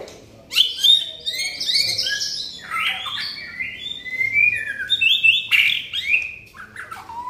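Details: White-rumped shama in gacor style, meaning vigorous nonstop singing: loud, rich whistled phrases that slide up and down, some buzzy trills and sharp upswept notes, flowing without pause, with no other clear sounds.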